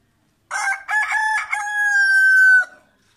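A rooster gives one full crow: a few choppy opening notes, then a long, loud, sustained harmonic note that cuts off sharply after about two seconds.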